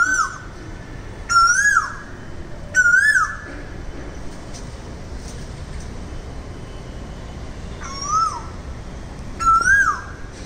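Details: Asian koel, locally called kogile, calling: five clear whistled notes that rise then dip, each about half a second long, spaced one to three seconds apart over a steady low background hum.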